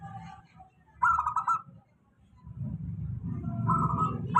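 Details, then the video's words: Zebra dove, local type, in a steady lure song for lazy singers: a loud pulsed cooing trill, a pause, then a softer trilled phrase over continuous low humming noise. "suara pancingan perkutut lokal"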